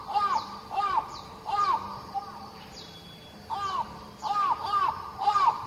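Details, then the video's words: Raven from the Australia, Oceania and Southeast Asia region calling: hoarse, arched caws in quick pairs and triplets, with pauses between bursts. "Ворон. Австралия. Океания. Ю-В Азия. Голоса птиц"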